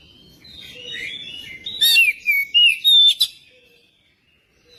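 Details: Magpie-robin song meant to coax other magpie-robins into singing: soft jumbled twittering builds into a burst of four loud, sharp whistled notes, some sliding downward, then a brief click and quiet.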